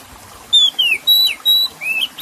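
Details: Oriental magpie-robin singing with splashing water in the background, played to coax stressed caged birds into song: a series of sharp whistled notes, flat or falling, then a short rising upslur, over a low continuous wash.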